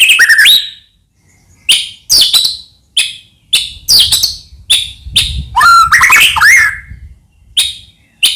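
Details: Singing white-rumped shama, used as a lure to stir other shamas into song: short sharp whistled and buzzy notes in separated bursts, then a rich warbled phrase, with faint low rumble underneath.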